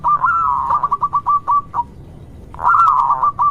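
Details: A local zebra dove sings to lure other zebra doves into calling. A drawn-out warbling coo breaks into a string of short pulsed notes that slow toward the end, then a second rolling phrase follows.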